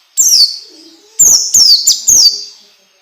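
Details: Orange-headed thrush training song for juveniles, meant to make them sing quickly and often: one clear falling whistle, a pause, then four quick piercing downslurred notes in a tight row.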